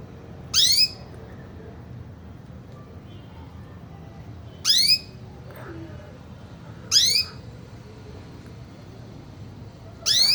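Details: Single sharp calls from a female canary, each a brief high note sweeping swiftly downward, given four times at uneven intervals of two to four seconds, with quiet room noise between.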